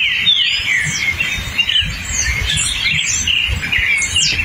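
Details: Hepatic tanager song in forest, a run of clear whistled notes sliding up and down in mid pitch, repeated in short bursts while several other birds chirp and trill at higher pitch in the background.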